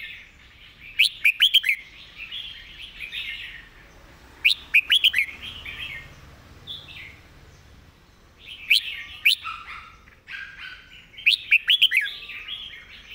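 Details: Clear teaching song of a Red-whiskered bulbul: four bursts of fast, bright chirps at irregular intervals, linked by softer, rolling warbled phrases.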